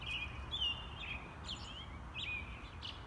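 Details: American robin singing, heard faintly. Short, clear whistled phrases come in quick succession with slight pauses between them. A low rumble of background noise runs underneath.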